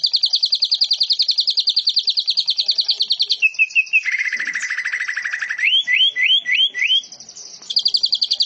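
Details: Greater green leafbird (cucak ijo) singing in canary, cililin and lovebird style, in dense rapid delivery: high rapid trill, a lower stuttering trill, then four upslurred whistles before the high trill returns.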